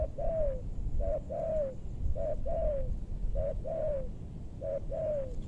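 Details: Spotted dove recorded while trapping wild birds in a maranti forest, west Bogor, Indonesia, aimed at deep-voiced birds; low hollow coos in pairs, a brief note then a drawn-out falling one, repeated four times at even spacing, with low rumbling background.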